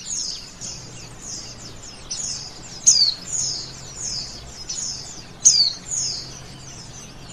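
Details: Softer, steady high-pitched twittering by a male oriental white-eye, interrupted about twice a minute's pace by bright downward-slurred whistles, over faint background hiss.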